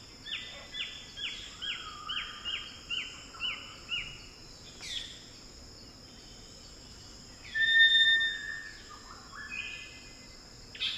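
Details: Wild Eclectus Parrots calling in Cape York rainforest, Australia: a run of about nine ringing, whistled notes stepping down in pitch over four seconds, then scattered harsher notes, over a steady high insect drone.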